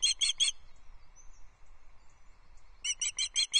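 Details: On her Loch Arkaig nest at dawn, 14 July 2024, a female osprey begs her mate for fish, caught by nest camera: three shrill whistled chips, a quiet gap of over two seconds, then five more in quick, even succession.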